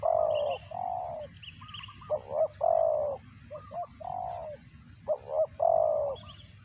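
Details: Spotted dove calling as it feeds its chicks, a sound described as cricket-like. Steady, nasal, mid-pitched notes of about half a second alternate with doubled short wavering notes across the whole stretch.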